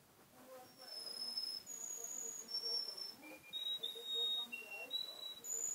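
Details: Seven-month-old male canary, Garni, Armenia, recorded 2 October 2014, sings a series of short high whistled notes at shifting pitches, fairly quiet against a steady background hiss.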